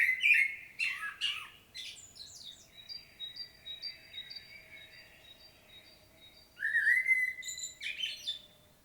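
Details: Common blackbird in Świnoujście, Poland, 25 September 2022, singing a fluty, squeaky phrase, then pausing while another bird repeats thin high notes about twice a second, before a rich whistled warble resumes.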